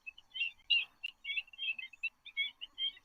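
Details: Black-winged Stilts giving a busy stream of short, sharp yelping notes, several birds overlapping in quick, uneven bursts of high, nasal calls, a sound made when many birds gather together.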